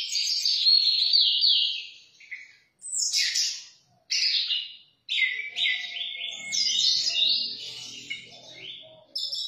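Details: Orange-headed thrush (Geokichla citrina) singing rich, varied, high, sweet warbling phrases almost without pause, with brief breaks and a faint low hum behind.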